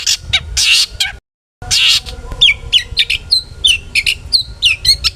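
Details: Long-tailed shrike singing to provoke rival shrikes into song: loud grating screeches broken by a brief silence, then a fast series of bending whistles and chips.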